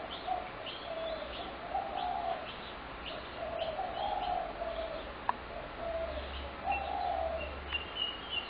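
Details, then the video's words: Spotted doves crowd a fed Brooklyn Park backyard on 6 November 2016, repeating deep, soft, wavering coo phrases about every second or two, mixed with sharp high chirps from other birds and a single click. "Spotted Dove Backyard Noise Disaster"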